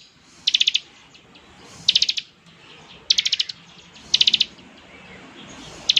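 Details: Bar-winged prinia singing in the ngebren style to draw answering prinias: bursts of four or five fast high ticking notes spaced about a second apart, against quiet background.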